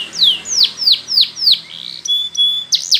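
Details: Spanish Timbrado canary training song: five loud ringing downslurred whistles about every 0.3 seconds, a thin steady high tone, then a sharp double note.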